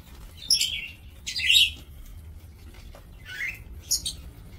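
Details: Breeding lovebirds in an aviary, 2 October 2024: scratchy chirps and a louder grating screech around 1.5 seconds, then more rasping calls and high squeaks, over a soft low hum.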